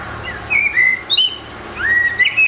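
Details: Eurasian blackbird singing alone on a rooftop: mellow, fluty whistled phrases that slide and warble, each ending in a brief higher twitter, two phrases over a quiet background.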